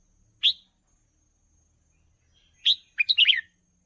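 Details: Song of a red-whiskered bulbul, used for training young birds. A lone sharp chirp is followed two seconds later by a rapid run of four or five lively warbled notes.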